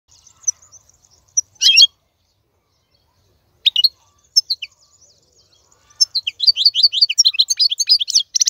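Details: Male European goldfinch singing as a tutor for teaching young birds, song styles such as sarfati and kasta kasta. Scattered high thin notes and a sharp burst, then a dense, fast, bright twittering phrase in the last seconds.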